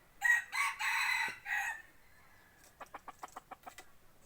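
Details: Forest-hunting decoy rooster: a loud crow of four harsh, choppy pulses over about one and a half seconds, followed by a rapid run of soft, evenly spaced clucks.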